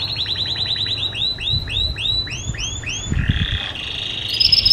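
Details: Canary singing as training for other birds: a run of arched notes that starts very fast and slows to about three a second, then turns into a buzzy, harsh roll, with a few low knocks.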